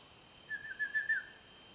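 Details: Female Banded Kingfisher at Sedim, Kedah, gives a quick run of four clear, slurred whistles at a steady mid-high pitch, lasting under a second, over faint background hiss.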